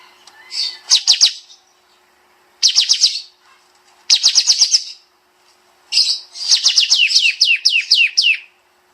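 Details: Kapas tembak bulbul delivering tight 'nembak' song for songbird training. Short choppy bursts of quick notes open, then end in a long run of about ten crisp, downward-slurred whistles.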